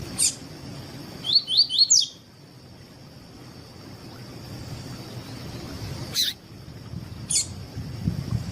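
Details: Double-collared seedeater singing the tui tui song style, played to teach and warm up other seedeaters: one quick phrase of four rising, slurred high whistles, then sharp isolated clicks over a soft low hum.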